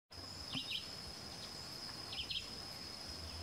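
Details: Crescent-chested puffbird giving two short, high, thin doubled notes about a second and a half apart, each a quick pair of descending whistles, over a steady high insect drone and low forest hum.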